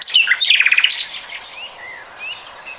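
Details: Common nightingale singing in 2020: a loud burst of rapid, evenly spaced pulsed notes descending in pitch, then quieter slurred whistles from a more distant bird across the rest of the clip.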